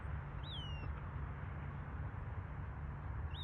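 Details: Western wood pewee calling: one clear, downward-slurred note early on and the start of another at the very end, set against constant low-pitched background rumble.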